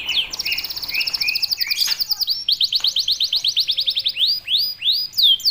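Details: Canary singing continuously, used as a tutor recording for young canaries: fast rolling trills near the top of the range, overlapping rising slurred notes repeated about three times a second, with a dense layered chorus of bright notes.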